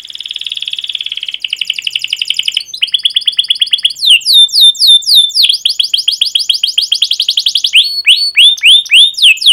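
A canary sings fast, high, unbroken phrases: a buzzy trill, then rapid rising-falling chips and rolling tours, several notes each second.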